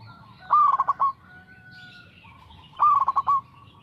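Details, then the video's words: Zebra dove, local perkutut, repeating its song twice: a bright hooked coo breaking into a stuttered run of pulsed notes, with a thin steady whistle and faint chirps between phrases. "PERKUTUT LOKAL GACOR SUARA TERATUR"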